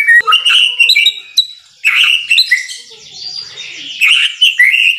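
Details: Energetic song of a white-rumped shama: loud, ringing whistled notes and crisp chirps, a sustained buzzy high trill in the middle, then renewed clear whistled phrases.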